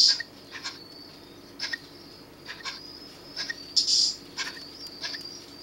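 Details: Three young Eurasian scops owl chicks in a rescue centre at Monte Adone, Italy, fallen after their nest tree was cut down, give short, high, hissing wheezes, about one or two per second and uneven in pace, over a faint steady hiss.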